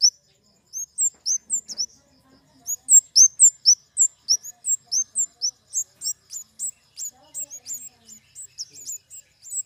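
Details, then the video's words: A flowerpecker (kemade) sings a long, nearly continuous string of high, thin, curling chirps alternating in pitch, about four per second, growing denser toward the end. "Suara burung kemade"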